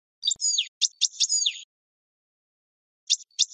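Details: European goldfinch phrases used to train other birds: several short, downward-sweeping, slightly buzzy high notes in quick succession, a pause, then two more brief chirps.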